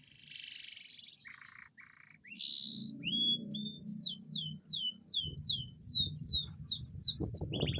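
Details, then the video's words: Atlantic canary giving a long rolling song to encourage lazy canaries to sing: buzzy notes lead into a rapid string of repeated downward-slurred whistles, with low background rumble throughout. "Pancingan kenari gacor ngerol panjang dan pancingan kenari malas bunyi pasti"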